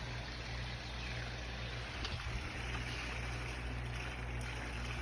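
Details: Steady rushing water, like a stream or boat noise, with a low hum and no clear animal calls.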